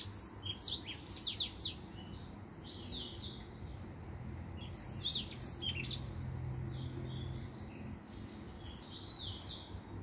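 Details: A male finch sings two bright phrases of rapid, high, slurred chirps, one at the start and one near five seconds, with softer twittering in between and after.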